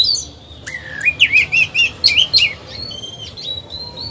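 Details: Oriental magpie-robin, a caged decoy bird singing to draw other birds into song: a sharp note, then a series of looping whistled phrases rising and falling, ending in thin high whistles.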